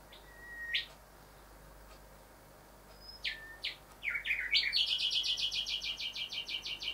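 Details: Two whistle-and-whip calls from a male Rufous Whistler, then a tumble of slurred notes breaking into a rapid, regular chain of bright repeated notes, sung while he admires his window reflection at this time of year.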